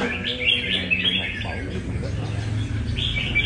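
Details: Red-whiskered bulbul from Nam Đông on a light café trial in Đà Nẵng, giving bright warbled phrases in short bursts over a steady low hum and murmuring voices.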